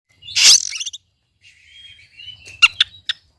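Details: Oriental magpie-robin (kacer) song used to provoke a quiet bird to sing: a loud buzzy burst followed by thin high whistles and sharp clicking notes.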